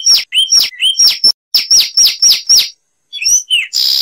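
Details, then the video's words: A Zapata wren sings loud, high, down-slurred whistled notes, about four a second in short bursts with brief pauses; a hiss of noise comes at the end. "Masteran Burung Zapata Wren"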